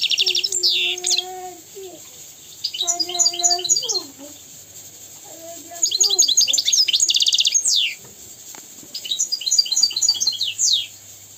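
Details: European goldfinch singing, meant as a model for young goldfinches and canaries learning song: repeated bursts of fast, high, tinkling trills and downsweeps, separated by gaps with lower drawn-out squeaky tones.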